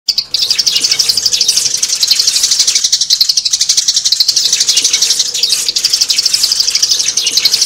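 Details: Sparrows used as a trapping lure, a dense continuous chorus of high, rapid chirps repeated about four times a second with little pause, many birds calling at once.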